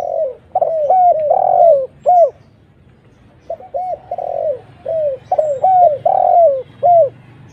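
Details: Spotted dove lure call, used to draw other spotted doves in, clear and easy to imitate: rhythmic mellow coos, some notes arched and some falling, in two bouts of repeated phrases with a short pause between them.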